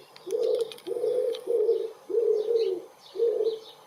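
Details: Common wood pigeon cooing at close range in a garden in spring, 23 April 2019: five low, hoarse coos in a steady rhythmic series, each about half a second long, with faint high chirps of other small birds behind.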